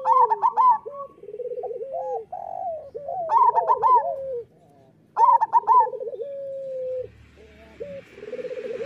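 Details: Zebra dove song for stimulating captive local doves to sing. Three energetic bursts of rapid trilled coos come at roughly two-second intervals, each followed by flatter coo phrases. A faint hiss rises toward the end.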